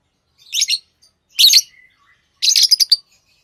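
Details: Three harsh, shrill chirp bursts from pet lovebirds, the last a rapid stutter of several notes, with a faint thin whistle between.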